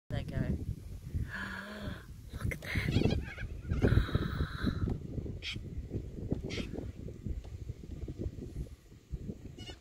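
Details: Corellas coming in to feed at sunrise near Middleton, central Queensland, give harsh, grating screeches in short bursts every second or two over a steady low rumble of wind.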